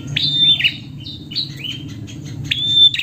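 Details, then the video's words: Female prinia calling to the male: sharp, high chirps that snap upward then hold a thin whistled note, given in quick bursts with short gaps, over a faint low hum. "Prenjak Betina Memanggil Jantan Merangsang Bunyi"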